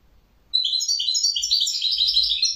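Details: European goldfinch delivering one continuous, rapid, tinkling and twittering song phrase that starts abruptly and runs without pause, full of quick high notes with a slightly buzzy texture.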